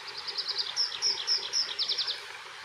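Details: Meadow pipit singing in a tree in the Highlands of Scotland, recorded from long range: a quick run of thin, high notes, then sharper sweeping notes and a fast trill, all within under three seconds.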